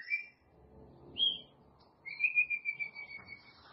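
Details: White-rumped shama giving a few thin high whistled notes, then a long level whistle pulsing in volume, over faint low background rumble.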